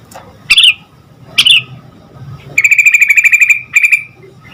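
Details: Sooty-headed bulbul in lively song, played so other bulbuls answer quickly: two short rising buzzy notes, then a long rapid ticking trill and a shorter repeat, all fairly high and bright over a quiet low hum.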